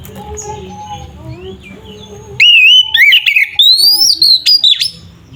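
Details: Oriental magpie-robin lure song for provoking rival birds: faint low tones and background hum at first, then a loud burst of varied whistled phrases with quick upslurs and a long rising note.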